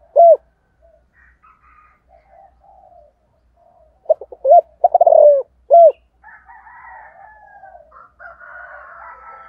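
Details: Spotted dove with the low 'giọng thổ' voice style, cooing in the morning: a single deep arched coo, then a stuttering burst of quick notes rolling into a long croo and a final coo, with thinner whistles from other birds after.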